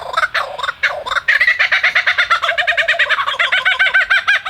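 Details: Male superb lyrebird in the Dandenong Ranges east of Melbourne, Australia, moving between trees while singing; a rapid run of repeated harsh, rattling notes, each pulsed and evenly spaced, with a few louder opening phrases.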